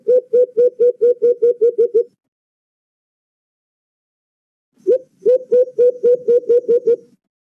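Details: White-eared brown dove (alimokon) lure call for trapping: about nine rapid, low hoots, each bending upward, followed by silence, then a second string of roughly ten similar notes.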